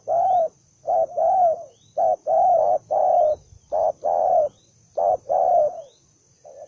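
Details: Spotted dove described as belligerent and newly caught delivers strong, buzzy coos in quick short-long pairs, repeated steadily, with faint high chirps from another bird in the background.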